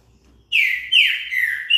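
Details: Green-winged saltator song fragment: strong, clear whistles that swoop down and level off, delivered as a continuous loud phrase of just over a second.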